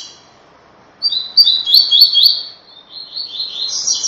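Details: Rusty-collared seedeater giving the "tui tui" training song: after a pause, a fast run of repeated high chirped notes, softening then rising higher at the end, over faint low background noise.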